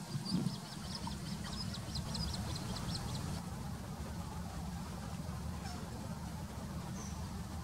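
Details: Little grebe (Tachybaptus ruficollis) recorded in September 2019 at Plaiaundi wetland, Txingudi, Irun, Gipuzkoa. A rapid high-pitched trill of evenly spaced notes fills the first three seconds, then fades, leaving constant low rumbling background noise.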